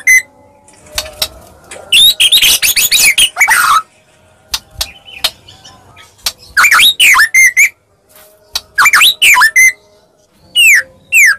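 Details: White-rumped shama of the Medan type in a fighting lure recording: scattered sharp clicks, then a dense burst of harsh high chirps, followed by clear swooping whistles that rise and fall, separated by short silences.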